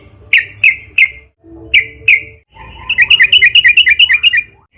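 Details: Trucukan (yellow-vented bulbul) in energetic song meant as a lure to prompt others to sing: several spaced paired chirps, then a long fast bubbling trill of up-and-down notes, faint low hum behind.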